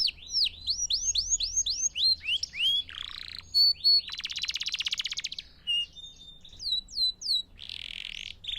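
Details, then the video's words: Canary song meant for teaching young birds and new songs: quick repeated curved whistles, then a harsh buzzy trill, a pure steady whistled tone, and a final run of slurred notes. "Melodias Claras e Contínuas para seus Pássaros Adorarem Cantar"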